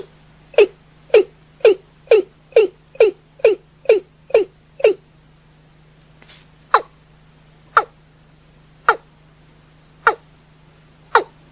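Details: Watercock calling at night, a series of nine loud, hollow notes repeated about every half second, then slower, sharper single notes spaced roughly one second apart; a steady low hum runs underneath throughout.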